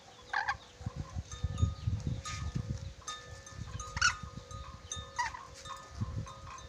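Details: Red-breasted parakeet from Sulawesi, noted for whistling many tunes, giving several short bright whistled bursts spaced about a second apart, with steady faint tones and low rumbling background noise throughout.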